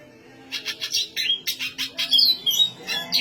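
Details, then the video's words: Black siskin delivering high, energetic song: a rapid string of rasping chirps, several clear slurred whistles woven between them, the notes steadily following one another without long gaps. "black siskin gacor suara tinggi!"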